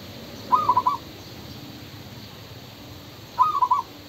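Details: Male spotted dove cooing twice, each phrase a quick run of four or five soft hollow notes, separated by about three seconds of near silence with faint background hiss.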